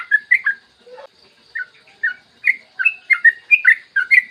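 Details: Yellow-vented bulbul in a long, rapid morning song, recorded as a lure to get other bulbuls singing: liquid, bubbly whistled notes in quick pairs, with one lower dipping note early, then faster chirpy phrases toward the end.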